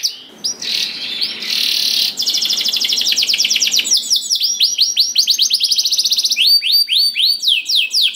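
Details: Canary singing to set off other canaries: a short buzzy roll, a long fast trill of rapid repeated notes, then slower bright arched whistles toward the end.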